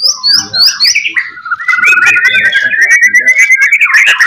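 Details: White-rumped shama master song meant to draw replies from other shamas: a few quick high rising whistles, then a long rapid warbling trill that climbs gradually and holds steady, loud and continuous.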